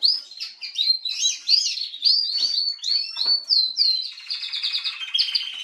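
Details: Atlantic canary female singing on 21 January 2022, a series of loud sweeping slurred whistles, rising and falling, then a fast even trill at the end.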